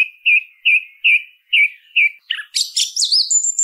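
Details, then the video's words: Song thrush repeating one whistled note about five times at a steady pace, then switching to a dense, high, twisting phrase. "SONIDO de ZORZAL COMÚN CANTANDO"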